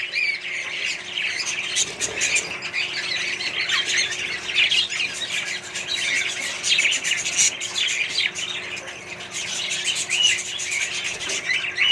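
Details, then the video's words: Continuous chirruping and warbling from a budgerigar colony mixed with other birds, with scattered harsh squawks and sharp clicks over a steady background murmur. "australian budgies parrots & more birds colony"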